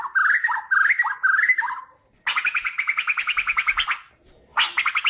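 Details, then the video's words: White-rumped shama of Kalimantan in song, used to train other birds: three matching rising-and-falling whistled phrases, a pause, then a long rapid rattling trill, ending with a loud ringing burst. "SUARA KICAUAN BURUNG MURAI BATU KALIMANTAN HAJI MAHKOTA GACOR COCOK BUAT MASTERAN"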